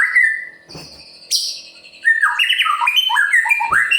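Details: A murai pastol white-rumped shama, used to provoke other birds into song: a long steady whistle, a high sharp note, then a lively string of jumping whistled notes.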